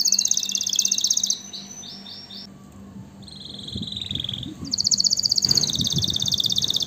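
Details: A canary alternates a fast buzzy trill with a few quick swooping notes, pauses, sings a lower soft roll, then bursts into a loud high trill; some low thumps and a faint hum.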